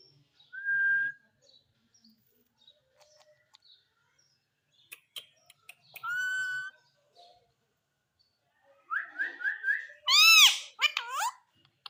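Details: Green Indian ringneck parakeet vocalizing: a few clear whistled notes with quiet pauses between, then a run of rapid chattering and loud rising-and-falling squawks near the end.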